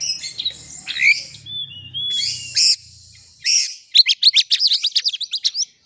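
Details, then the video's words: Oriental magpie-robin singing to draw a rival into song: rasping notes and a short whistled phrase, two loud harsh bursts, then a rapid string of about fifteen sharp, twittering chirps. "kacer ngeplay cari lawan. pancingan kacer agar bongkar isian.!!!"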